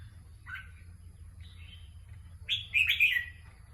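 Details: Competition-bred red-whiskered bulbul singing: two brief soft whistled notes spaced about a second apart, then a louder rolling warble of tumbling, slurred whistles near the end, over faint steady low hum.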